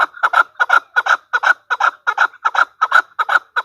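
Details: Calling female chukar partridge, a steady rhythmic series of paired clucking notes, chuk-chuk, repeated about three times a second, loud and evenly spaced throughout.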